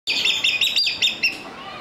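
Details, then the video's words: Crowned hornbill at Ueno Zoo, Japan, singing: a burst of about six bright, piping high notes in quick succession, lasting just over a second, with a faint murmur of people. "Beautiful singing. Crowned Hornbill.美しい鳴き声。カンムリコサイチョウ。"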